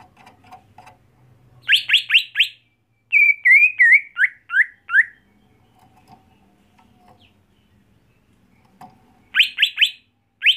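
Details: Captive greater green leafbird, kept at home and prepared for song contests. Bursts of rapid downslurred whistles alternate with a run of level and falling whistled notes, separated by quiet gaps with faint low background noise.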